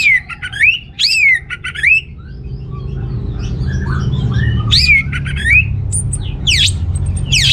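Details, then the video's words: Orange-headed thrush, singing as a lure for males short of breeding drive; loud down-slurred whistles in clusters of three, a quieter stretch of soft notes, then further bright phrases and sharp descending strokes. "ANIS MERAH Gacor Untuk Pancingan AM Jantan yang Kurang Birahi"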